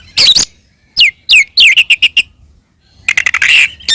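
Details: Singing Oriental magpie-robin with its provoking fighting song: a harsh burst, a few falling whistles, a quick row of short repeated notes, then dense buzzy chatter after a brief gap.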